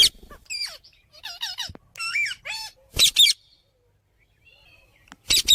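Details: Parrot chirping: a varied series of whistled, bending chirps with rising and falling notes, then a harsh double squawk, a quiet spell, and another rough squawk.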